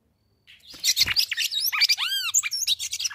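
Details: Female red-cowled cardinal calling to stimulate the male, in the caatinga of the sertão in northeastern Brazil during summer: a lively rapid run of varied chirps, whistled arcs and sweeping slurred notes, continuous and loud after a short silence.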